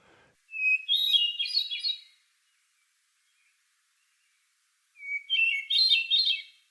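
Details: A Hermit Thrush, a North American bird, sings two richly fluty phrases a few seconds apart. Each opens on a long, clear held note, then breaks into higher, ethereal trills like a harmonic series. Otherwise quiet.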